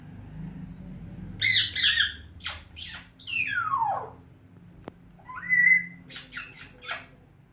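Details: Talking African grey parrot at home, also whistling and calling names: harsh chattering syllables, a long falling whistle sweeping down, a click, a rising whistled note, then quick short calls.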